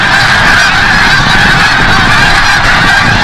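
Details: Sunset return of snow geese from the bay at Forsythe National Wildlife Refuge, Oceanville, New Jersey; many birds honk together in an unbroken, evenly loud chorus.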